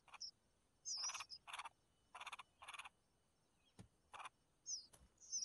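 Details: Red-whiskered bulbul mother feeding her young, with short harsh buzzy rasps repeated in quick bursts and scattered thin high chirps between them, plus an occasional click.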